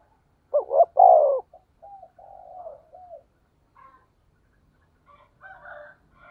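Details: Spotted dove cooing in the 'thổ sấm' voice style, used as a lure for other doves. One loud phrase, a double note and then a sustained falling coo, is followed by softer, wavering hoots and faint distant coos.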